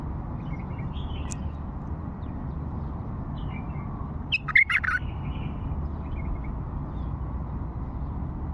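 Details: An old bulbul from Fao gives one brief, bright warbled phrase midway through, a quick run of clear notes, set against a steady low hum and otherwise quiet surroundings.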